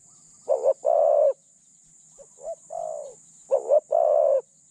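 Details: A spotted dove used as a decoy for catching doves gives three cooing phrases. The first and last are loud, with a short note leading into a long hoot. The middle one is softer and hesitant. A steady faint hiss runs throughout.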